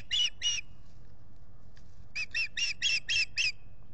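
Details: Ospreys, a mated pair at the Salt Point nest by a lake, nest camera recording, April 19, 2021. Two shrill chirps, a pause, then a fast run of six loud, harsh whistled notes.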